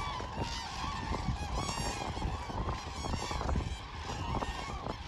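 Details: Common cranes at Hornborgasjön, Sweden, on 24 March 2024, a steady chorus of overlapping honking calls over a constant rumbling background with scattered knocks and noise.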